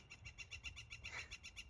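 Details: Pileated woodpecker at a garden, a regular visitor to the bird feeder and neighbouring pine trees, giving a rapid, even series of loud, ringing notes, about seven per second, over a faint low rumble.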